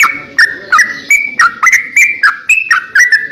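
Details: Greater green leafbird, kept as a master tutor bird, singing energetically: a rapid chain of sharp clicks each followed by a clear whistled note, pitches shifting slightly from phrase to phrase, about three per second.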